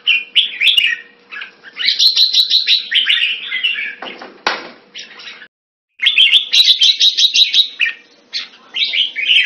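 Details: Red-whiskered bulbul, the jambul of the bird hobby, singing loud rapid trilled phrases, broken by a short noisy rustle and a brief silence before the trills resume.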